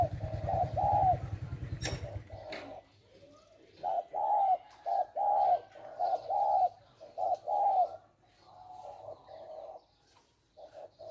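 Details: Decoy male spotted doves held for bird trapping: after a low buzzing hum and a sharp click, hoarse coos follow in quick groups of three to five, then fade into quieter, sparser notes.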